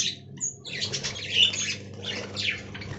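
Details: Budgerigars in an aviary colony: high, scratchy chirps and squawky warbling overlap in a busy stream after a short quiet opening, with a steady low hum underneath.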